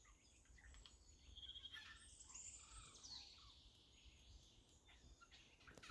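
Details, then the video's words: Eurasian jay singing in a funny way likened to a child's laugh: high, scratchy chirps and short whistled notes in loose bursts over a steady low background hum. "забавное пение сойки, как смех ребёнка, funny singing of a jay, like a child's laugh"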